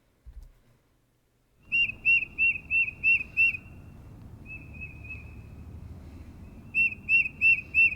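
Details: Tufted Titmouse song from Indiana, the peter peter peter pattern sung by males and females: clear whistled two-note phrases repeated rapidly in a series of six, a softer run, then another burst of five, over faint low background rumble.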